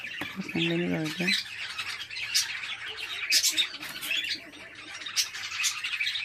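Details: Home-bred budgerigars raised as a hobby keep up busy, overlapping high chirps and warbling chatter throughout, with a person's brief speech near the beginning.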